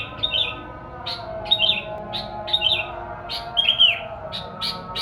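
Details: Song of a sooty-headed bulbul, used as a lure for wild birds, made of sharp clipped chirps spaced roughly every half second, some with a quick trilled flourish, against low background hum.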